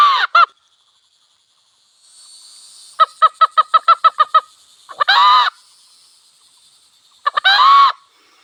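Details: Wild red junglefowl hen and cock by a village: a hoarse crow, then a rapid series of about nine clucking notes, followed by two more short, raspy crows with stuttered openings, over a steady high insect drone.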